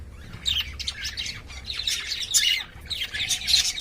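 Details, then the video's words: Caged lovebirds, courting and playing, produce grouped bursts of buzzy, high-pitched chirps separated by short gaps, about three clusters in a few seconds. "love birds 🐦 making sound 🔊 and playing"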